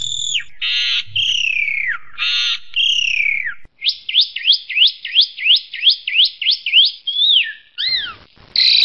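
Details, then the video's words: Asian pied starling singing a full-repertoire song: buzzy bursts alternate with falling whistles, then about eleven sharply rising chirps in a steady series, ending with downslurred notes and a harsh buzz. "Kicau Burung JALAK SUREN isian KOMPLIT"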